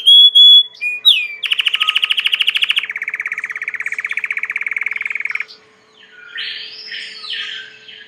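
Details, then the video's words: Belgian canary in song: clear pure whistles and a rising sweep lead into a long rattling trill that drops in pitch midway, followed by soft warbled notes. "COMO FAZER SEU CANARIO CANTAR MUITO 20 MINUTOS DE CANTO"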